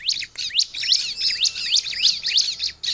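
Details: A vigorously singing bar-winged prinia, recorded to call in wild prinias: high, bouncing chirps run together in a rapid, tight series.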